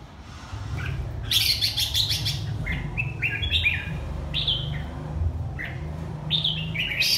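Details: Red-whiskered bulbul of the Hà Tĩnh type, kept bird: short bright chirpy phrases and slurred whistles, a burst of busy notes early, then scattered rising whistles, over a steady low hum.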